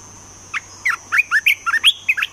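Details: Caged Olive-winged bulbul kept as a decoy bird for trapping, singing a quick run of short bubbly chirped notes that swoop up and down, about nine notes in under two seconds, over a faint steady high hiss.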